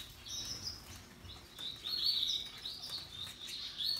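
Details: Canaries, Russian yellow and Timbrado, described as happily singing: soft, high warbled phrases and short twittering notes, rising and falling in loudness over four seconds, with faint low background rumble.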